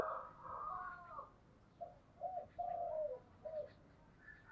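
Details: Spotted dove singing in the 'giọng thổ' style: a soft, blurred cooing phrase, then several separate short, low coos, all over steady background hiss.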